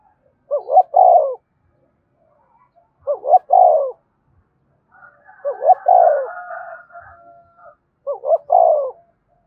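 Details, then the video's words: Spotted dove cooing to lure other doves: four phrases of low, throaty hooting coos, each a couple of short notes and a longer rolling note, repeated roughly every two and a half seconds, with a fainter higher drawn-out call overlapping the third. "cu gáy thúc bổi và gáy gọi cực đỉnh, tiếng chim cu gáy hay và nhạy bổi"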